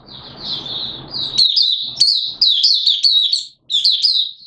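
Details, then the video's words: Malaysian Oriental white-eye, a kept songbird in Singapore, recorded on 29 March 2023 in warm, humid weather with sudden showers, singing high, rapid twittering phrases of chirps and sliding notes; low background rumble in the first second. "Malaysian Mata Puteh Buka Sing"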